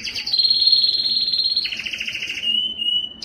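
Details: Yellow canary in song, delivering a smooth high whistled tour that drops into a buzzy rapid roll and then a level sustained trill. A new phrase starts sharply at the end.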